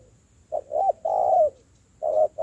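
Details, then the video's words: Wild-caught spotted dove in decoy training, cooing: a quick pair of short notes, a long sustained coo, then another coo phrase beginning. "tập bổi nổi mau thành mồi .thúc gù ,kèm chơi rất ok"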